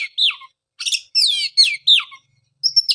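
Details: Oriental magpie-robin song, used as a lure to restart singing in a bird that went quiet after moulting: clear high whistled phrases with rising and falling slurs, separated by short pauses, ending in a buzzy steady note.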